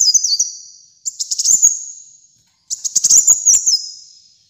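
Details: Energetic song of a kolibri muncang sunbird, used as a tutor and lure recording. Short high-pitched phrases of rapid stuttered notes slide into a zigzag descending warble. Three phrases are separated by short pauses.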